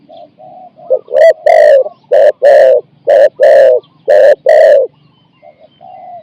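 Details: Decoy spotted dove luring wild birds, 'ku-ang' coo of four to five syllables: a few soft low coos lead into eight loud, rough coo notes grouped in pairs, then quiet coos trail off.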